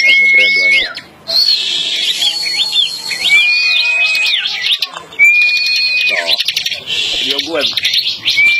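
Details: Bar-winged prinia (ciblek) in full song while held in the hand, not in a cage, in a song contest: loud, high, flat whistled notes mixed with fast buzzy chatter, phrase after phrase, as low human voices murmur underneath.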